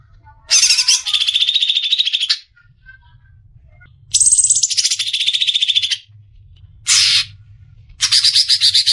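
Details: Greater green leafbird, a caged bird used as a training tutor for other songbirds, giving loud rapid buzzy trills in bursts of one to two seconds separated by short pauses, with a faint low hum behind.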